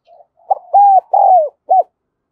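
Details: Caged decoy spotted dove with a voice of the Đồng Son style, cooing to lure other doves. It gives a soft opening note, then three loud, clear coos with a rising-falling shape, and ends with a short final coo.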